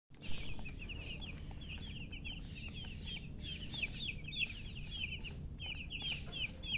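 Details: Baby chickens peeping constantly, many high, short, slightly downslurred chirps overlapping in quick succession over a low steady rumble of background noise.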